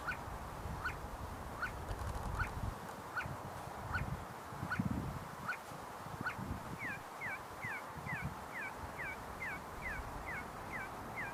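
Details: See-see partridges in a group, foraging and fighting on a university campus in Sulaimani, Kurdistan, giving short whistled notes, spaced at first, then quickening into paired, sweeping whistles, over a steady low rumble of wind.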